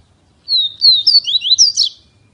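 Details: Double-collared seedeater, a kept bird in Feira de Santana, Brazil, delivering a rapid run of bright, high slurred whistles rising and falling, ending in a denser burst of notes, all in a silent background.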